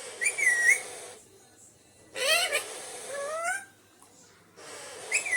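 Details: Alexandrine parakeet kept as a pet producing loud whistled calls, a bending note, then a rising harmonic cry and a softer upward slur, separated by short silences.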